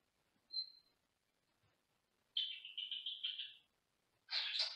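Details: Senegal parrot, male, in a small cage in another room of the house: a thin whistle, a long warbling pulsed chatter of about a second, then a loud broad screech.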